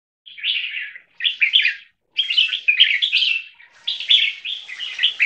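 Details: Two three-month-old captive Viet-Thai crossbreed red-whiskered bulbuls sing against each other. Short, warbled phrases separated by brief pauses climb to a quick, bright, chattering run.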